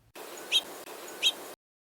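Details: House finch, a common spring backyard bird in Arizona's deserts, gives two short, whiny "chweet" call notes about three-quarters of a second apart over a steady background hiss.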